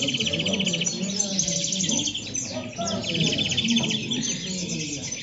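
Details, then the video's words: European goldfinches in the 'moderna' song style at a 'corona' in El Prat de Llobregat: bright, rapid trilled phrases repeated twice, mixed with scattered twitters, while people talk quietly in the background. "corona de caderneras (jilgueros en la moderna El prat de llobregat)"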